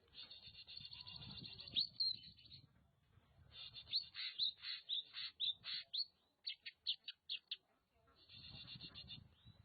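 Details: Oriental magpie-robin from Nagan Raya, Aceh, producing a rapid harsh chattering trill, then a string of sharp clipped notes about twice a second, over low rumbling background noise.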